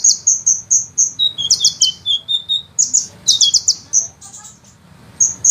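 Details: Sunbird master song with rapid rolling bursts: a string of high sharp chips about four per second, then lower descending twitters and a stuttering trill, ending in scattered high notes.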